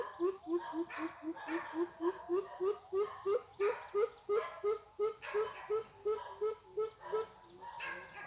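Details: Young greater coucal used as a trap decoy, taken out on a weekend for training to call and lure wild birds; a steady run of deep, hollow hooting notes, about three per second, roughly twenty in a row, over faint broadband rustling and chatter.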